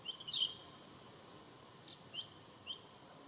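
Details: Oriental hobby (Falco severus) at Dalat, Vietnam, on October 6, 2018, gives thin, high, sharp notes: a quick cluster at first, then two single chips about half a second apart, over a steady hiss.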